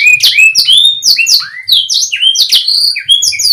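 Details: Canary song intended to prompt quiet birds into singing: a tumbling series of high, sharp, varied whistled slurs and chips, closely spaced and very loud.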